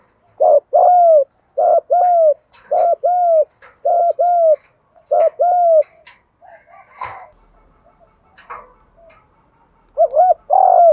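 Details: Spotted dove kept as a trapping decoy, singing the 'giọng thổ pha' style: five loud paired coos in quick succession, then rustling and knocking noises, before the two-note hooting resumes.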